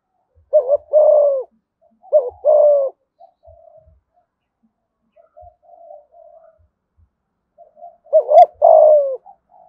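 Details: Low two-part coos of a spotted dove in Đồng Nai, 'thúc gù giọng thổ' style: two phrases early, soft murmuring notes through the middle, then a final wavering coo and long falling hoot.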